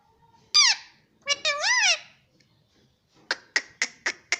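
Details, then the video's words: Pet rose-ringed parakeet talking indoors: a sharp downward-sweeping syllable, then a pair of warbled speech-like phrases, followed by five short clipped squawks repeated about every quarter second. "papa bolne vala parrot || mithu talking"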